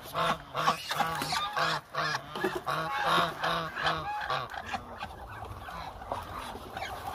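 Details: Many Muscovy ducks, a flock of around 1000 waiting hungrily, call over one another in busy harsh honks that come fastest early on and then thin to scattered calls and shuffling noise.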